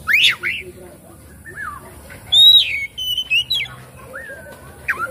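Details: Oriental magpie-robin lure song for a bird that won't sing or open its tail; sharp falling chirps, soft downslurs, then loud clear whistles and short notes, ending in a long falling whistle.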